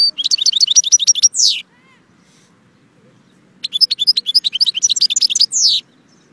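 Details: Two long phrases of rapid, high chirping from a goldfinch, each ending in a drawn-out, descending buzzy note, separated by a quiet gap of about two seconds.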